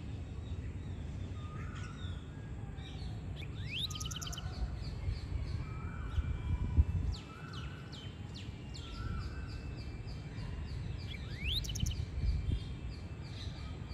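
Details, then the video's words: Large pied wagtail singing and calling in India: short flat whistled notes repeated about every second, broken by two fast rising sweeps with rattling trills and scattered high chirps, against constant low outdoor rumble. "Pied Wagtail Singing and Calling"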